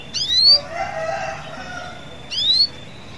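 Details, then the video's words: Canary in lively 'gacor' singing form, used to prompt other canaries to join in singing; two bright rising whistled sweeps with overtones, about two seconds apart, over a faint softer warbling murmur in between. "Burung kenari gacor bagus untuk pancing kenari agar ikut gacor"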